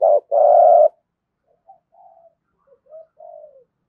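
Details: Spotted dove coo in the 'giọng thổ' style, used to stimulate cooing. One short note leads into a long, steady, low coo, followed by faint, softer coo fragments trailing off in quiet surroundings.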